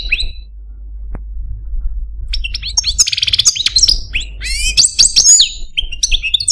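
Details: Captive male European goldfinch of the Algerian parva form: a short high note, near silence with one click, then from about two seconds a lively stream of sharp chirps, downslurred whistles and fast metallic twittering.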